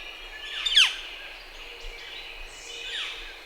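A Northern flicker gives one sharp, high, downslurred note, followed by two fainter, similar slurs about a second apart, over light background hiss.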